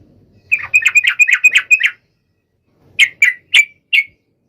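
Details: Yellow-vented bulbul song aimed at a rival: a quick string of about eight bright chattering notes, then four separate sharp chirps spaced roughly a third of a second apart.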